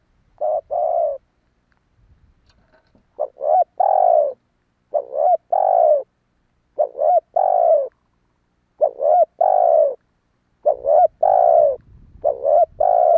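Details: Spotted dove call played to lure wild doves: a long run of repeated phrases. Each has a short, abrupt coo, a rising-falling warble and a drawn-out note, recurring every couple of seconds. Faint rumble appears near the end.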